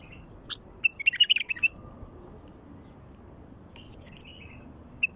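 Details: Wild bulbul song intended to attract wild bulbuls: a lively phrase of warbled whistles, a long quiet gap, then a shorter phrase and a single closing note.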